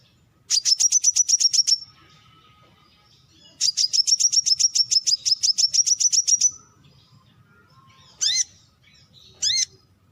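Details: Two long, fast runs of sharp, very high notes from a Brown-throated sunbird, about fifteen notes each, followed by two separate loud, ringing calls that sweep steeply downward.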